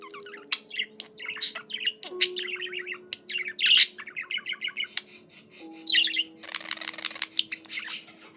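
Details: Indoor pet budgerigar singing a long, lively warble: rapid scratchy twitters, clicks and chirps pouring out almost without pause, a buzzy rasp near the end, with steady low background tones.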